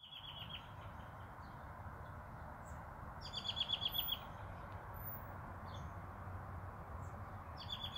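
An American robin gives short bursts of rapid, sharp notes, three fast chattering runs spread over several seconds, over a steady low rumble of background noise.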